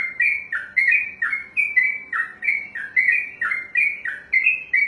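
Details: Long 'ropelan' song of a trucukan (yellow-vented bulbul), a kept contest songbird: rapid, continuous slurred whistles, each note swooping low then high, repeated about three times a second.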